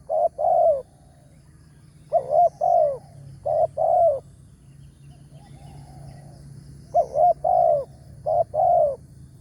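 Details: Spotted dove with a big voice of the 'tarik akar' style, sought in the morning at a trapping site. Its deep, rolling coo phrases come in short bursts of two or three notes, separated by pauses, over a low steady background hum.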